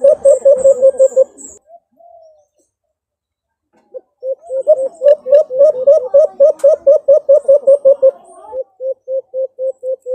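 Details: White-eared brown dove calling, used as a hunting lure: a fast series of low hollow coos, each note short and evenly pitched, a pause, then a longer run of repeated hoots ending in slower spaced notes.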